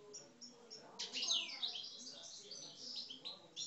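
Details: Aggressive singing from Algerian parva goldfinches kept in cages: faint chirps open the clip, then a loud sweeping twitter and a stream of quick, high, tinkling notes follow.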